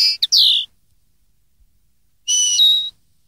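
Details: Common linnet song for training young linnets, 2013: quick clipped notes sliding into a falling whistle, then after a pause a long steady pure whistle that steps down in pitch.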